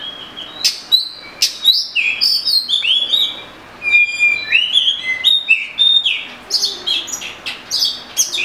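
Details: Oriental magpie-robin in full song: a rich, continuous medley of whistles, slurred rising notes and crisp chirps, varying in pitch throughout.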